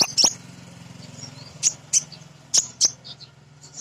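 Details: A female crimson sunbird, in a recording used to coax birds into song, gives short piercing high chirps in pairs, separated by brief pauses over a steady low hum.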